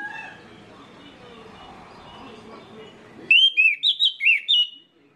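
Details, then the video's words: Song of an orange-headed thrush, played to prompt others of its kind to sing: a low, muddled background gives way to a bright run of six loud, slurred whistled notes, each swooping up and down, ending in silence. "PANCINGAN ANIS MERAH INI BIKIN GACOR ANIS MERAH LAIN"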